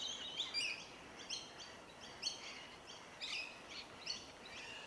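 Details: Several Rainbow lorikeets (Trichoglossus moluccanus) feeding on tree violet berries in Melbourne, Victoria, January; grating, scratchy screeches in quick irregular bursts, each lasting a fraction of a second, over steady low outdoor noise.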